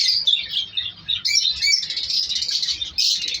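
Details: Many lovebirds in a winter breeding colony kept in an aviary with nest pots: high, scratchy chirps tumbling over one another in a steady chattering mass, with brief pauses.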